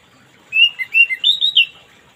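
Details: Morning song of an orange-headed thrush: one clear whistled phrase of about six sweet notes that dip, then rise higher and end with a falling slur, in a quiet setting.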